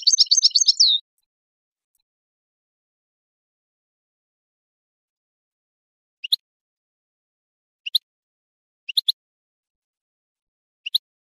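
A goldfinch gives a second of rapid, high, tinkling twitter, then falls quiet before four brief, sharp chirps spaced one to two seconds apart. The background is silent.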